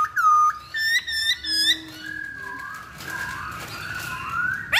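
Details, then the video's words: Chinese hwamei song used as a lure: loud, clear whistled notes, some slurred and rising, in short repeated phrases, giving way to softer, lower warbling whistles. "Pancingan Poksay Hongkong Paling Ampuh"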